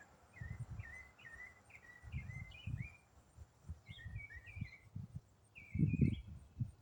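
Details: Autumn songbird, one bird delivering a long non-stop complex song: a series of clear, downslurred chirps repeated in quick succession, a short pause, then more chirps, against loud low-pitched thuds and rumble.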